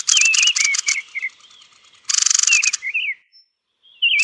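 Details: Thrush at roosting time: rattling click bursts mixed with wavering whistled notes, a second chattering burst, then a pause before a final short call.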